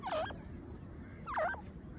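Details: Grey francolin (black/grey partridge, teetar) giving two harsh, mid-pitched calls that dip and then rise, about a second apart, over a low background rumble.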